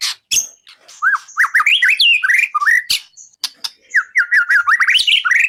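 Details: White-rumped shama singing for songbird contest training: loud, rich whistled phrases of rapid rising and falling slurs, repeated in quick succession with a few sharp clicks between.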